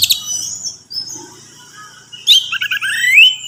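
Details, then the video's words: Orange-headed thrush singing, a recording played so a captive bird will start to sing: a high burst, a sustained thin whistle, then a quick series of short bubbling notes rising to a bright whistle. "Merangsang ANIS MERAH Berani Bunyi, Saat Diputarkan Kicauan Ini dalam Beberapa Menit."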